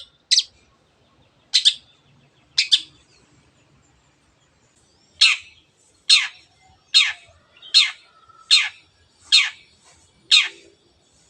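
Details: Long-tailed shrike giving the repeated 'teot teot' style used to excite other birds into singing: loud, harsh, downward-slurred notes, spaced about a second apart after a short pause.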